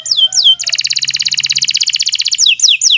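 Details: Kenari Nusantara canary singing long, continuous song for training other birds: two swooping down-whistles, then a rapid mechanical-sounding trill of about thirty pulses, closing with more falling whistles.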